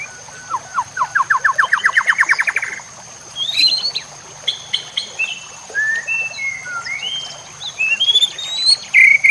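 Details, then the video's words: White-rumped shama song used to teach other shamas, with nature sounds and trickling water: a fast rising trill of about twenty notes, then varied sweet whistled phrases climbing higher toward the end. "Cocok untuk pancingan murai batu AGAR LANGSUNG GACOR dan NGEPLONG"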